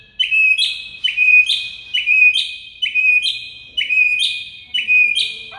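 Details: White-rumped shama master song for prompting silent birds to sing: a clear whistled phrase with a high sharp tip, repeated six times, about once per second.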